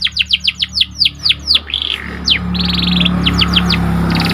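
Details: Energetic panda canary singing to raise another bird's excitement: a string of about ten falling sweeps, brief buzz, a downward slur, then rattling trills and more quick sweeps, over low droning noise.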